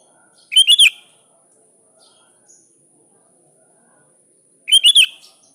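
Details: Sooty-headed bulbul calling a rival, giving two identical gurgling phrases about four seconds apart, each a fast cluster of warbled notes with a downward slur at the end.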